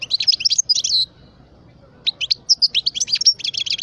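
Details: A European goldfinch, parva, twelve years old, delivers rapid bright twitters and liquid chips, a busy burst, a one-second silence, then another quick jangling phrase of high sweet notes.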